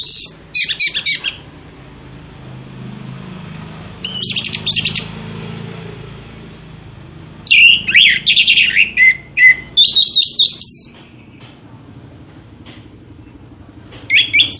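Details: Orange-headed thrush song played as a lure to set other birds singing: bursts of loud, varied, high whistled and chattering phrases, separated by quiet gaps with a low background hum.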